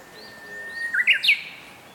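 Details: Young Japanese bush warbler singing in the spring-water valley of Zama Yatoyama Park, Zama, Kanagawa, Japan, on 16 May 2023: a long, steady whistled note, then a quick, jumbled flourish of short notes climbing higher, over faint background hiss.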